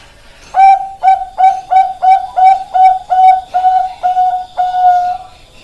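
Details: Perkutut of the Bangkok type, a zebra dove, delivering around ten quick, ringing coos in steady rhythm, the notes slowly stretching until a longer final tone ends the phrase.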